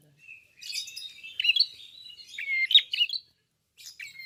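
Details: Red-fronted prinia singing with an open bill, a bird kept for its song quality: bursts of high, scratchy chirps and buzzy trills with short whistled downslurs, pausing briefly before resuming.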